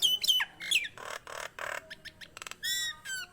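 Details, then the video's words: Nias hill myna singing for rousing other mynas: bright twisting whistles, then broad harsh rasps and a few nasal notes. "JALAK NIAS GACOR COCOK UNTUK PANCINGAN BURUNG JALAK NIAS ANDA DAN MASTERAN"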